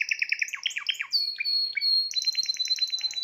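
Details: Timbrado canary, the seventh bird of its owner's 2020 birds, sings a rapid run of repeated chirping notes, then a long sustained whistle that breaks into a fast rolling trill.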